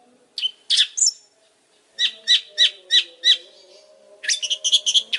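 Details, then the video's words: Long-tailed shrike delivering harsh notes and a whistle, then five evenly spaced raspy notes about every third of a second, ending in a fast chattering burst; a faint low hum runs underneath. "Suara burung pentet super gacor"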